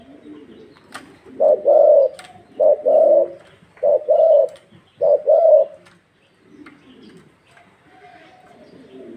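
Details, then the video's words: Thai 'vân rồng' spotted dove cooing very vigorously: four low, hollow two-part phrases, each a brief note then a longer one, with sharp clicks and knocks between them, then a quiet stretch at the end. "Tiếng chim CU GÁY THÁI VÂN RỒNG cực xung"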